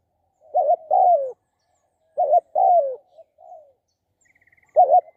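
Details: Spotted dove, a decoy bird, repeating its cooing phrase of a short two-part note and a longer down-slurred coo, with a few soft extra notes. A faint high chirp precedes the start of a third phrase.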